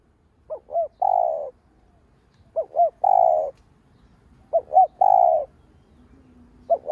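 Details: Spotted dove cooing as a decoy to excite other doves: the same three-part phrase of two short notes plus a long coo repeated about every two seconds, three full times, then a fourth begins.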